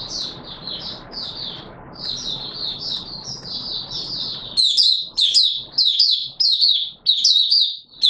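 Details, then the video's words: Oriental white-eye in open song, 24 March 2022. High sweet twittering phrases run on, masked at first by a steady rushing noise that stops midway, after which the bright chirps ring out clearly in quick bursts. "Mata Puteh Raja Video 1 buka sing"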